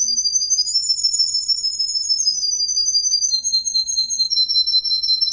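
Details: Demonstration song of a male Russian green canary: sustained high rolling trill that rises slightly, then descends in small steps across about five seconds.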